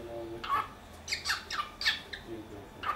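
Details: Indoor pet cockatiel from Dortmund-Huckarde, Germany, uttering a rapid run of harsh, squawking contact calls, several in close succession and roughly two per second, in a small quiet room.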